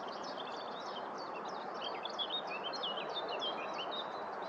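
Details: A singing lesser whitethroat collecting nest material at Viersels Gebroekt on 27 April 2021 gives a soft, scratchy warble of quick high chattering notes over a steady broad rushing background noise.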